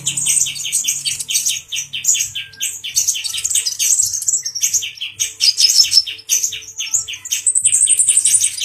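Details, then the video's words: Excited male brown-throated sunbird taunting a grey-cheeked bulbul: rapid series of piercing chirps in long rattling phrases, broken by brief gaps, with a high thin trill rising near the end. "Kicau Burung Kolibri Ninja Dada Coklat Jantan emosi menggoda Burung Cucak Jenggot"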